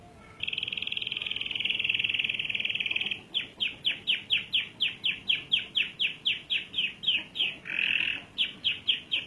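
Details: Canary rolling song (ngerol panjang): a buzzy, rapidly pulsed high roll for about three seconds, then a long run of crisp downslurred notes about four per second, broken by a brief harsh buzzy burst.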